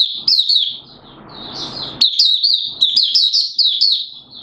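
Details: 'Buka sing' open singing by a Malaysian Oriental white-eye, Singapore, 29 March 2023, humid with sudden showers: a thin wavering note over soft shuffling, then a fast string of bright high chirps and trills.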